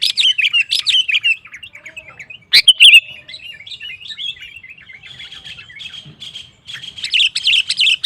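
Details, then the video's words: Sooty-headed bulbul singing to stir other males to answer: bubbly, rapid chirping phrases, a sharp loud note near the middle, then quieter trilled notes building back to lively chatter. "Suara Burung KUTILANG GACOR Memancing Lawan Kutilang Lain Emosi Ikut Gacor"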